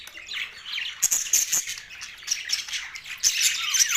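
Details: Australian budgerigars, a flock of parrots, recorded November 19, 2023 during mating; dense high twittering chirps and warbles with sharp squeaky notes, overlapping voices continuing throughout.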